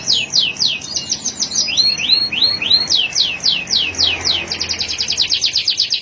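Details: Male canary singing a fast series of descending whistled sweeps, shifting into rising slurred notes, then rapid short trills; quick repeated phrases with no other sounds.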